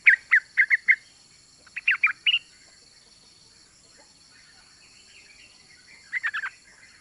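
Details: Female Yellow-vented Bulbul calling for a male: quick bright chirps in bursts of three or four, with long quiet gaps between bursts.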